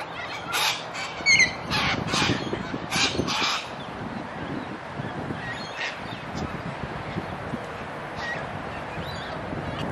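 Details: Australian cockatoos, abundant everywhere like pigeons and at times nearly tame; a series of loud, harsh, broadband screeches comes in quick bursts during the first few seconds, then fades to quieter calls over steady outdoor background hiss.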